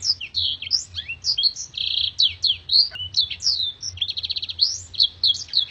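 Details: Black-throated canary singing a master recording for training contest birds: a fast, unbroken stream of high twittering notes, sharp upward and downward slurs, and quick buzzy trills, with long clear shots running almost without pause.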